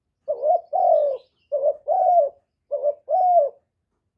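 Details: Spotted dove cooing in a quiet recording meant to rouse newly kept doves. Repeated double coos, a short rising syllable then a drawn-out falling syllable, in a steady rhythm, with a fresh coo starting at the end.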